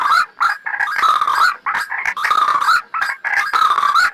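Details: Trapping lure of the white-breasted waterhen, known locally as ruak-ruak: rough, grating croaks run in long, dense bursts separated by short breaks of silence.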